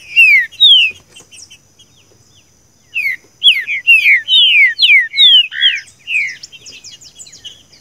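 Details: Green-winged saltator song in the seu chico style, a recording for training a captive bird: loud slurred whistles falling in pitch, two opening phrases, a pause, then a quick string of about eight descending notes, with fainter high twitters.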